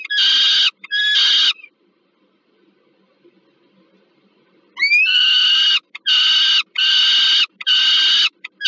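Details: Peregrine falcons at the Termika Żerań nest in Warsaw, Poland, on 15 August 2022, an adult bringing food to a young bird: two harsh, harmonic screams, a pause of near silence, then a rising note and a run of loud repeated screeches.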